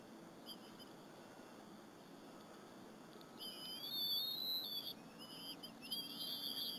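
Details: Bald eagle young feed with their mother on a squirrel at a Berry College nest on an April 2015 afternoon. After near silence, a long, high, warbling whistle wavers, then another squeal follows.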